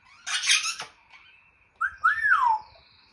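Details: Pet African grey parrot making funny mimicked sounds: a harsh, broad squealing burst, a pause, then a clear whistled note that rises and falls in an arch.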